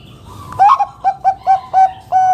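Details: Zebra dove of the Bangkok type with a big, loud voice, used to lure other doves into singing: a rising opening coo, four short clipped coos, then a long steady final note, with faint background noise.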